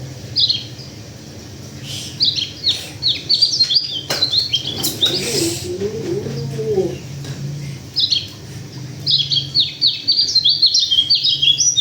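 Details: Local white-eye from Sulawesi in Indonesia pours out bursts of rapid, high, scratchy twittering notes. A pause in the middle holds clicks, rustling and a lower warbling sound, then the fast high chatter resumes.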